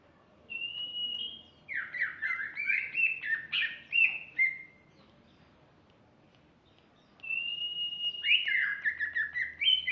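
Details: Female greater green leafbird with varied, fast whistled song: a high steady note, then tumbling zigzag slurs and jumps in pitch, a silent stretch of about two seconds, then another rapid jumbled phrase.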